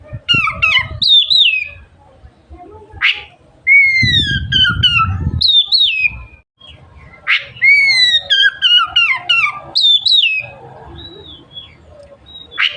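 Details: Lively Oriental magpie-robin song, described as stirring other magpie-robins to open their tails: repeated bursts of quick, falling whistled phrases mixed with harsh rasping notes and pauses, over a low background rumble that swells briefly.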